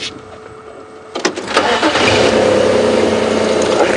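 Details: A game drive vehicle at Djuma Game Reserve starts its engine and revs into a loud steady roar, with no animal heard.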